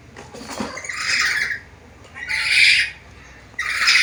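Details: Loud, coarse squawks from a black-capped lory known for talking and varied sounds, three long rasping bursts after a brief knock at the start.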